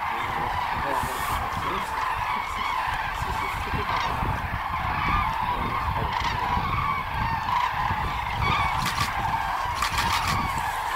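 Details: A large crane flock migrating over Hungary keeps up a dense chorus of overlapping, rolling trumpet calls, with a steady low rumble of wind or distant traffic underneath.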